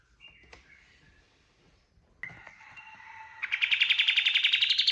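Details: Kapas tembak bird in gacor form, a lure song for training birds: soft scattered whistles, then a fast, loud run of sharp repeated notes, about four per second, rising slightly in pitch and continuing to the end.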